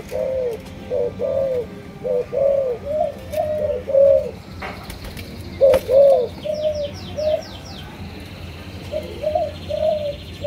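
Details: Spotted dove of a Malaysian line coos steadily in short, slightly rising and falling mid-pitched phrases, with pauses between groups; a quick series of high chirps from another small bird joins in the second half.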